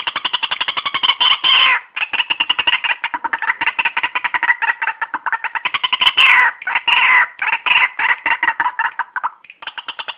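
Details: White-breasted waterhen calling, a lure sound for bird trapping: a long run of fast, evenly repeated harsh double-toned notes, several overlapping raucous bursts, continuous and loud throughout.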